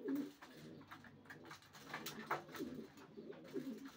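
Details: Racing pigeons: a short low coo at the start, then two more rolling coos later, separated by faint shuffling and scratching sounds.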